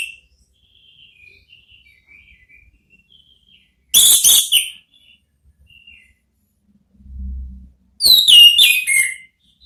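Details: Therapy song of an orange-headed thrush in ngeplong style, used to lure another thrush into answering; soft thin notes first, then two loud, buzzy high phrases separated by a brief low thump.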